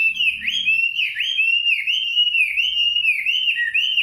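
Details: Nightingale song as one unbroken, rich whistled warble, rolling in smooth repeated dips and rises, steady and loud throughout with a faint low murmur underneath.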